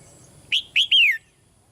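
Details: Female red-whiskered bulbul calling softly in a cage to stir a male into louder singing. A single quick phrase: two short bright whistles and a drawn-out note sweeping downward.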